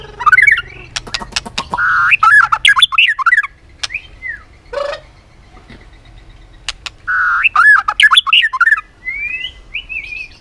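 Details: White-rumped shama in competitive song with tail flicking and continuous clicking: two bursts of fast, harsh warbled phrases with clicks between them, ending in short rising whistles.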